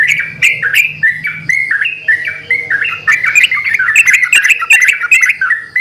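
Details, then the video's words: Several yellow-vented bulbuls sing actively and answer one another in a lure recording: busy chattering phrases of short, stepped, bubbly notes, overlapping throughout, with sharp clicks and a steady low hum beneath. "pancingan burung trucukan gacor saling bersautan"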